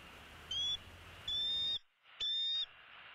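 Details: Bald eagle on a Southwest Florida nest camera, 11:34 on 01-04-16, defending its territory and chasing another raptor: three thin, high, flat whistled notes, the last two longer, with steady background hiss.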